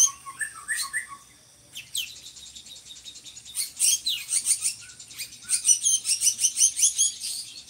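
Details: Drongo in full song, a bird used for tutoring other songbirds; opens with a few low, fluty whistles, then breaks into fast, high, rasping chatter that grows louder and denser.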